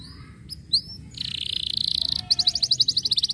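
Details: Canary song: a few thin upslurred whistles, then a dense buzzy trill, ending in a fast run of bright repeated notes.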